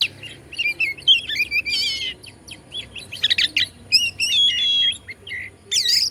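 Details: White-rumped shama (kacer) song played to provoke other shamas and make them sing: rich varied phrases of whistled notes, rapid trills and harsh buzzy bursts, mostly high-pitched, with short pauses between phrases.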